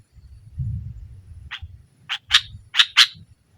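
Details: Sooty-headed bulbul song used to provoke a silent bulbul: a few loud, harsh chip notes in the last second and a half, following a low rumbling background noise.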